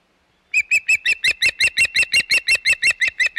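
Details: Osprey at the Hog Island nest, 25 May 2021: a loud, rapid run of sharp whistled chirps, about three per second, evenly spaced and steady in pitch, continuing without pause after a brief silence.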